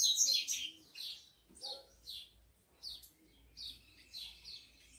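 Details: Captive tico-tico, or rufous-collared sparrow, heated up alongside eager females, uttering loud high chirps at first, then a series of thin downslurred chips spaced about half a second apart.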